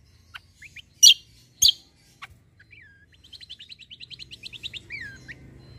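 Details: White-eye sold as kecial kombo, a fighter bird whose song serves as tutor material: two loud sharp chips, then a long fast series of thin high rising notes, ending in a few slurred whistles.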